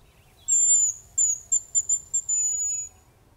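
A male Hazel Grouse gives a thin, very high whistled phrase: a drawn-out note, a few quick short notes, then a long fading whistle, over a quiet background.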